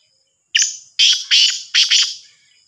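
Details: Black francolin, a Sindhi black francolin from Sahiwal, giving a loud, harsh call of four grating, broadband notes. A single note comes first, then three more in quick succession within about two seconds.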